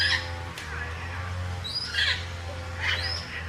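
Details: Wild African grey parrots feeding on fruit; three short, harmonic whistled calls with rising upper sweeps, spaced roughly a second apart, over a steady low droning background that sounds like music.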